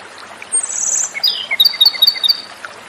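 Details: Song of the Japanese robin, known as komadori: a drawn-out very high whistle followed by a falling slur and a quick train of ringing repeated notes, with soft ambient noise behind.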